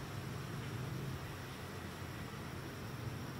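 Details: Constant low hum and hiss, like a fan or distant traffic, with no animal sounds.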